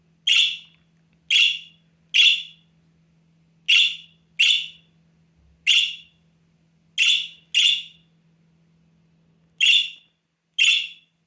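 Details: Young budgerigar chick giving earnest calls for attention: ten loud, shrill, rasping cries, sometimes paired closely, spread irregularly over eleven seconds against silence and a faint steady hum.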